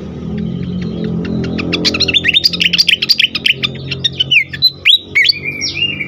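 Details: Fired-up fantail pouring out a dense burst of quick high ticks and slurred whistles, building in loudness toward the middle, then a few emphatic downward notes; a low rumbling background runs throughout.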